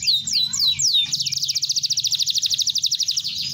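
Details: Canary in song opens with a few clear high whistled swoops, then breaks into a fast even trill of rapid repeated notes, about ten per second, bright and continuous to the end, over a soft low hum.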